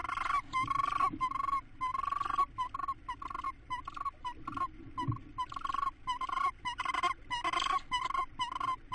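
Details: Tawny owl family on 19 April 2017, mother feeding the youngest chick a mouse: soft, nasal, harmonic notes near one kilohertz, chattered in quick bursts of several per second with brief pauses, over a faint low rumble.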